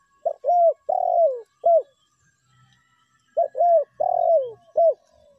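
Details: Tekukur (spotted dove) lure calls, meratus and melambung styles: two repeated four-part cooing phrases, with clipped notes around a long drawn-out falling coo and a gap of roughly two seconds between them. A faint low murmur sits in the pause.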